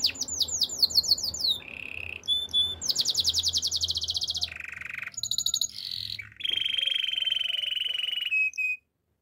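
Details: Canary song for training canaries: quick falling notes, then a varied sequence of buzzy rolled tours at different pitches, a long steady trill near the end and a final short chirp before silence.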